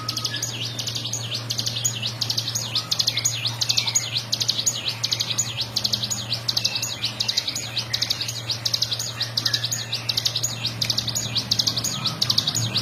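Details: Bar-winged prinia singing in the 'ngebren' manner for training other birds: a long stretch of brisk, high, chattering note bursts, repeated steadily, over a continuous low electrical-sounding hum.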